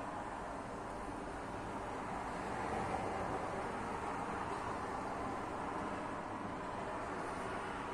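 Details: Even, dense rushing noise like distant traffic or machinery runs throughout, slightly louder around three seconds, with no birds or other animals heard.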